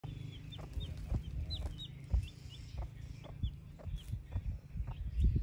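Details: Baby chicks with their broody mother hen, scratching the ground: many short, high, downward-sliding peeps repeat rapidly, while the hen gives low, soft clucks throughout.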